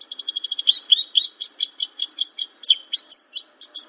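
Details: Javan bush lark, locally branjangan, singing a quick run of evenly spaced high chirps that turns into warbled, sliding notes, slowing slightly toward the end.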